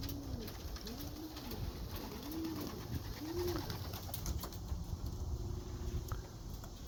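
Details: White young racing homer from a Greek God bloodline, eager to enter the breeding loft, coos four times in low rounded swells, followed by a faint steady tone against low-frequency rumble.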